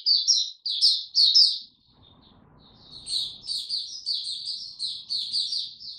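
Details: White-eye singing on 26 March 2022 in warm, very humid weather: bursts of high, rapid, jumbled twittering notes, a short pause near two seconds with faint low rumble, then a longer run of sweet chirps.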